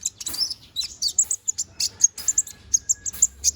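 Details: Young konin bird growing feathers, singing steadily for song training: crisp, piercing high chirps repeated roughly every quarter second, mixed with scratchy rasping bursts early on, with a faint low hum beneath.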